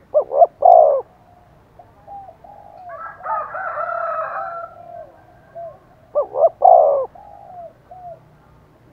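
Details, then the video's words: Decoy spotted dove calling to provoke wild doves into cooing back. Loud, deep coo phrases open and close the clip, with softer trailing notes. A rougher, mixed stretch of cooing and harsher tones fills the middle. "Tiếng chim cu mồi thúc bổi rất căng và sung, bổi nghe ngứa gan và gáy theo"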